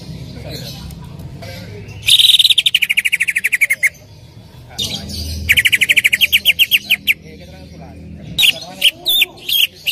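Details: Greater green leafbird song used as a lure to prompt another leafbird to sing: fast bursts of rapidly repeated, slightly descending bright notes, two long runs separated by pauses, then a few separate sharp whistled notes over low background hum.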